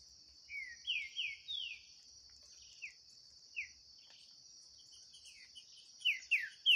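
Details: Green-winged Saltator in a song duel, one bird free in the woods, giving short, clear, falling whistled phrases in quick bursts, over a steady high insect drone.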